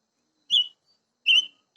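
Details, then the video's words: Silver-eared mesia singing: two clear, high whistled notes about three-quarters of a second apart, each short and slightly wavering, with silence around them. "Chim ngũ sắc hót"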